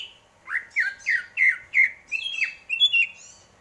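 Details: Greater green leafbird singing: a series of about eight sharp down-slurred whistled notes, each under half a second, rising slightly in pitch toward the end.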